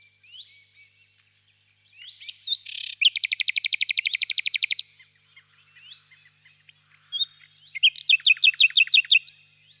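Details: Warm spring evening in a birch grove with a nightingale singing: soft chirps, then a fast metallic rattle of repeated notes, a pause, and a second, slower run of loud ringing notes.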